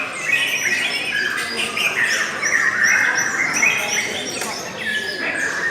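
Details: Lovebird giving a long chattering song: dense, rapid squeaky chirps and short whistles packed together with barely a pause, clustered in a bright high band with scattered sharper notes above.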